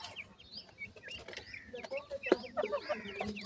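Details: Feeding francolin (teetar) chicks raised in captivity. Thin, high peeps come in quick, uneven bursts. A sharp knock is heard midway, with low clucking-like notes underneath.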